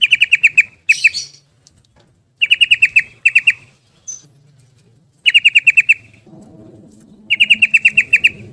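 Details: Yellow-vented bulbul delivering the quick 'ropel' song used to stimulate birds that have stopped singing: four bursts of about eight rapid, ringing repeated notes with short silences between.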